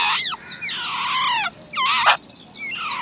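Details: A wild babbler family at the nest, chicks being fed: long, drawn-out grating squeals with falling tones, then a sharp burst and softer rising note.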